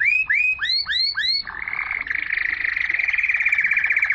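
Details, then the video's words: Canary song meant to stimulate females to mate and to tutor young birds: five repeated arching swept notes, then a long rapid buzzy trill. "تغريد الكناري لتحفيز الاناث على التزاوج"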